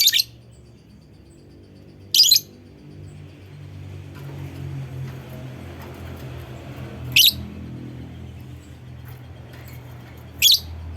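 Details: Lovebird call meant as a lure for other lovebirds to sing: four brief shrill chirps, the first two two seconds apart, then a long five-second pause, over a rumbling low background hum.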